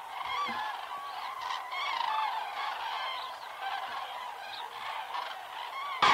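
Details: Common cranes at an autumn migration stopover on the Hortobágy steppe, Hungary, where flocks gather from September to November and fly to night roosts in the evening; a dense chorus of overlapping trumpeting calls from many birds, with a sudden loud burst at the end.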